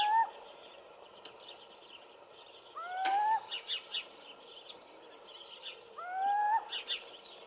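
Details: Little owl in Hortobágy National Park, Hungary, recorded in 2015: three drawn-out, rising, mewing whistled calls about three seconds apart, with short high chirps from other birds in between.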